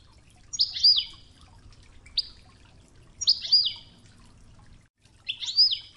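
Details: Training recording of a Wedani European goldfinch in Toughza style with flowing river water: loud, buzzy, sweeping high phrases with a twanging slide, repeated about every one and a half seconds over a low water hush.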